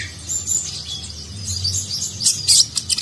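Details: Sunbird, known locally as konin or kolibri ninja, singing a varied Nagen-style song used as a tutor recording for contest birds: rapid high, thin chirps and twittering notes, brightest near the end, over a low background hum.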